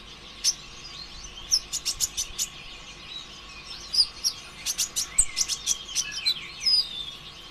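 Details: Sunbird song used as a lure to stimulate other birds to sing: bursts of sharp, high, thin chirps and rapid clicking trills, delivered in quick clusters of five to seven notes with short pauses, over a faint steady background hum.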